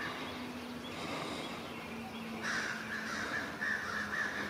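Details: Crows mobbing an unwelcome great horned owl in a forest. After a quiet start with a low steady hum, a burst of rough, repeated caws comes in the second half, several per second.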